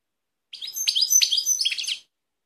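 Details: Balkanika goldfinch singing near Kumanovo, Macedonia, on 16 March 2018: one bright, tinkling burst of rapid high twitters and buzzy trills lasting about a second and a half, against silence.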